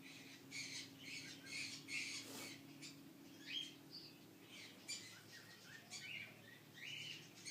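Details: A male budgerigar chick only a few weeks old, enjoying having his head and neck scratched, gives a run of harsh, scratchy squawks and chirps over a faint indoor hum.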